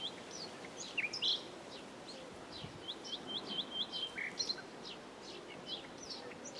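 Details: Common nightingale singing: a varied run of sharp, high whistles and short, quick downslurred notes, with brief pauses between bursts, over a steady background hiss.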